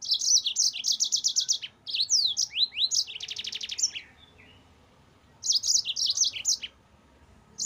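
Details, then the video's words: Continuous song of a yellow-fronted canary, a master recording for training cage birds: fast high trills, sweeping upward slurs and a dense buzzy rattle, a quiet gap, then another bright trilled phrase. "MASTERAN BURUNG MOZAMBIK GACOR NGEROL"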